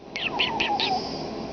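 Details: Talking pet common starling indoors: four quick, squeaky, speech-like syllables over a low descending whistle, in a brief phrase mimicking human speech.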